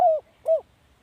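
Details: Spotted dove decoy call: two brief coos a half second apart, each a mellow note that slides slightly down and ends in a falling hook, with nothing else audible.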